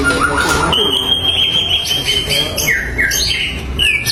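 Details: White-rumped shama singing to provoke rival birds. A clear, high, steady whistle is held for nearly two seconds, followed by shorter falling whistled notes and brief high chips, over low background hum.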